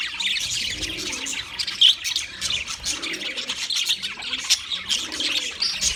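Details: Wild budgerigars chirping as a flock: dense overlapping high chattering and warbled chirps, continuous throughout with brief louder squawk-like notes, no gaps between calls.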